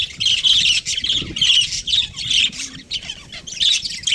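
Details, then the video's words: Breeding pair of budgerigars chirping in pulsing bursts of high, grating warble, each lasting under a second, with small gaps between. "Amazing budgie chirping sounds | budgies breeding pair"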